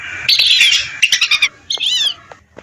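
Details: Lesser whistling ducks from a flock of hundreds, recorded for luring: a few distinct whistled calls, clear and rising-then-falling, plus short sharp notes and brief quiet gaps between them.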